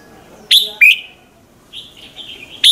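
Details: Red-whiskered bulbul singing in the morning as a lure for other birds: two sharp, falling whistled notes, a soft, wavering, warbled phrase, then a final bright note at the end.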